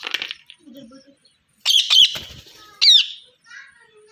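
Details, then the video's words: Parrot giving two loud, harsh, rasping squawks about a second apart, each a fluttering burst of noise, surrounded by softer chattering and faint murmuring notes. "Parrot Chirping Sounds | Natural Parrot Sounds | Parrot Calling Sounds"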